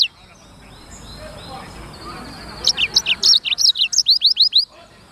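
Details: Singing black-throated canary delivers a rapid string of high, clear notes, each sliding downward, repeated several times a second for about two seconds after a quiet start with faint background hiss.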